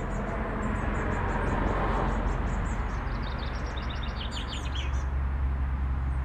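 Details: Pied wagtail attacking a car, giving a run of short high chirps that descend in a quick stuttering series, over constant low engine-like rumble and noise.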